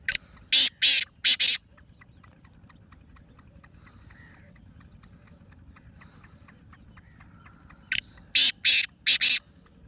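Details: Black francolin calling: a loud rasping phrase of four harsh bursts, then quiet with faint clicks and ticks, and the same grating four-part phrase again about eight seconds later.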